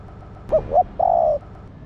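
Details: Female spotted dove stimulating a male, giving a brief phrase of two short coos and then a single long, level then gently dropping coo over a quiet, low hum.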